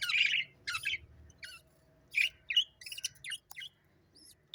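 Sparrows give bright, harsh chirps in uneven bursts, several notes overlapping, with brief quiet gaps between.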